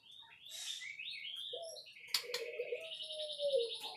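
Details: White-rumped shama song: a run of varied, clear whistled and warbled phrases high in pitch, shifting quickly between notes, followed by a sharp click and a low, drawn-out cooing note underneath rising trills.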